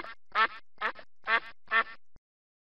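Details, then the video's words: Four harsh, nasal duck quacks at steady intervals of about half a second, ending abruptly in silence. "birds sounds | duck"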